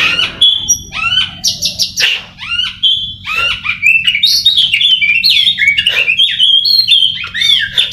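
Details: Caged Oriental magpie-robin, a once-poor singer patiently trained for song contests, delivering a loud, varied song of sharp whistles, downslurred notes and rapid rising-falling phrases with mimicry-like variety, near-continuous over eight seconds; a faint low hum underneath.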